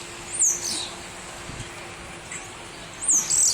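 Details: A black bird, probably a European starling, perched on a hotel gives thin, very high whistles sliding sharply downward, two bursts about three seconds apart, over a faint steady hum and hiss; likely Common starling.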